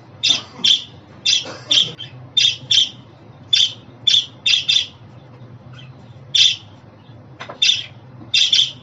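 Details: Rapid, buzzy two-note chirps from a pet budgie repeat at fairly even intervals, with a short quiet stretch near the end before the chirping resumes.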